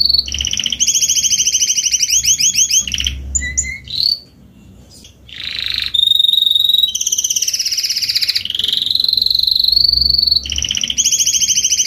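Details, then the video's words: Salsa song of an adult Spanish Timbrado canary, alternating pulsed chattering trills with smooth sustained rolls and a few isolated whistled notes during a short pause. "CANTO CANÁRIO SALSA ESPANHOL/ESPANHOLINHA"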